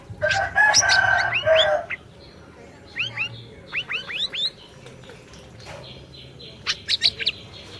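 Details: Orange-bellied leafbird singing steadily, a recording to get a silent bird going: loud harsh harmonic chatter at the start, then a series of clear rising whistles, followed by high sharp squeaky notes.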